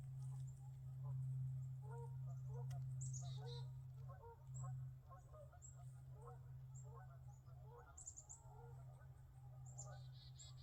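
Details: Geese calling near the lake on Sugarbush Island near Kingston, Ontario, Canada, in late autumn before winter. Faint, distant honks repeat irregularly under a steady low rumble. Thin, high chickadee notes and footsteps on the trail are also heard.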